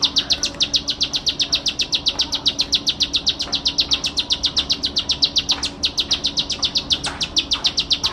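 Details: Bar-winged prinia (ciblek sawah) in full, constant song for training other songbirds: a steady run of piercing high chips, close to four per second, with a few lower clicks and a low hum beneath.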